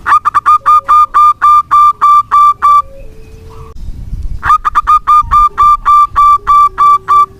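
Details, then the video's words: Local zebra dove singing in long strings of quick, loud coos, two runs of about ten notes with a noisy pause between, used as a lure to restart silent doves. "Perkutut lokal gacor pancingan ampuh perkutut macet bunyi"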